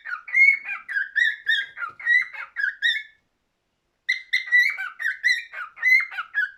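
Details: Cockatiel singing two runs of clear, slurred whistles in a regular rhythm, rising and falling notes, separated by a silent gap of about a second.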